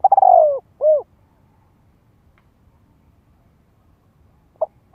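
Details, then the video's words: Spotted dove in Vietnam calling to entice wild doves to come and fight: the end of a phrase, a rolling downward-sliding note and rounded coo, then quiet before a short soft note begins again. "Tiếng chim cu gáy gọi kích bổi nhập cội cực chuẩn - Thúc Bổi về đấu nhanh hiệu quả."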